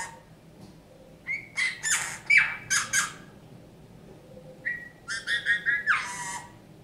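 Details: Captive Eurasian bullfinch, rescued injured and frozen from a snowdrift on 27 January 2019, singing indoors in a small room its so-called folk songs: a clear whistled note followed by rapid harsh, buzzy creaking bursts, in two phrases.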